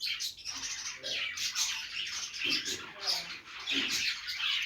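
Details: Budgies chirping happily while playing, Australian parrots giving a dense, continuous warbling chatter of high scratchy notes with a few louder squawky bursts, steady throughout.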